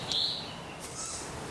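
A young tawny owl gives a single thin, high squeak, much like a squeaky toy, followed by fainter high hissy notes over quiet night background.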